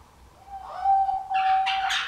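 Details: Kept male diamond dove displaying to court a female: one long, steady, pure cooing note held for about a second and a half, with a burst of rustling, broadband noise over its final part.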